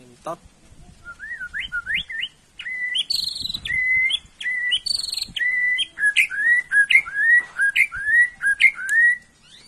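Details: Kept white-rumped shama during its morning routine after bathing, singing clear whistled phrases: repeated rising and falling slurred notes, mixed with a few very high sharp notes, delivered steadily with short gaps throughout.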